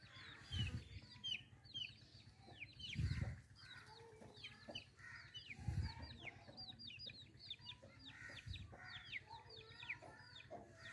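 White partridge giving quick, high chirps that dip and rise, packed closely together through the whole stretch. Dull low thumps sound about every three seconds.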